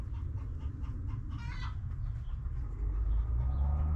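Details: Backyard chickens in a coop. Faint clucks are followed by one brief, strained, harmonic hen call, then a deepening low rumble.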